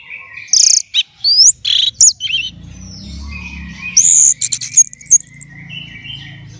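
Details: Orange-headed thrush held in a contest cage sings loud rising whistles and buzzy slurred notes, then a second burst of sharp chirps, over a low hum of background noise.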